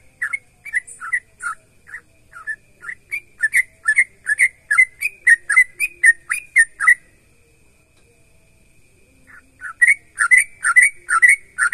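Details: Sooty-headed bulbul in full song, played to get other bulbuls singing in reply: long series of rapid bubbly whistled notes that speed up into a dense burst, pause for about two seconds, then resume.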